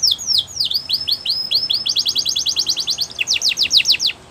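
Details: Canary song meant for training birds: a run of descending whistled sweeps speeding up into a long rapid rolling trill, then a burst of sharper repeated notes.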